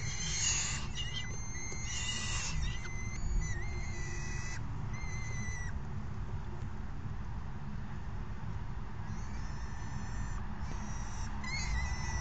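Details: Hungry falcon chicks being fed by a parent: bursts of shrill, drawn-out tonal cries for the first few seconds, then mostly quiet with brief calls near the end, over a constant low rumble.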